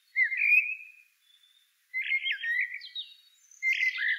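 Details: Blackbird song with a smooth, level whistled note, then a pause, then a lively phrase of wobbling, looping whistles and high squeaky notes, closing with a bright, falling whistle.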